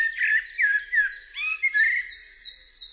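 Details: Eurasian blackbird: rich, fluted warbling notes over the first half, then a run of brief, evenly spaced high chirps from another bird dominating the rest.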